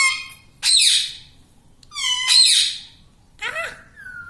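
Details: Pet parrot at home, a green ringneck that talks, giving three loud harsh squawking, speech-like bursts with rasping harmonic-rich tones separated by short pauses, indoors with quiet room background.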